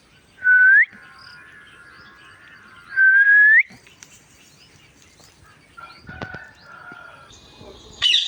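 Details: Indian ringneck parrot making sounds: two loud whistles that rise sharply at the end, about two and a half seconds apart, followed by quieter faint notes and a brief noisy burst.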